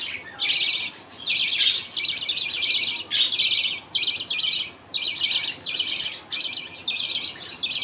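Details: Father budgie feeding food paste to two babies as the mother watches in a busy colony; pulsing series of short, buzzy chirp bursts, mostly half a second each, with quick pauses.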